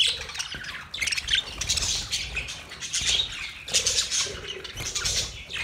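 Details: Mating chatter from budgerigars: busy overlapping squawks, chirps and warbling notes rising and falling in loud waves, many parrots calling at once.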